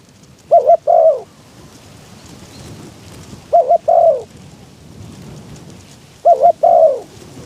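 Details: Decoy spotted dove used to lure wild doves, recorded in strong wind; three spaced phrases, each a quick double coo followed by a drawn-out descending coo, over a rushing breezy background.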